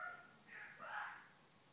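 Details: A pet female Eclectus parrot chatters to herself in the morning in soft, speech-like murmurs, a low mumble rising into two brief harsh syllables, over faint room hiss.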